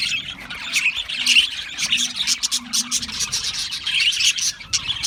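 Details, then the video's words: Group of Australian parrots twittering and warbling, bright high chirps overlapping with a few clearer whistled notes and a faint low hum underneath. "Beautiful Australian Parrots Chirping sounds beautiful Parrots Sounds"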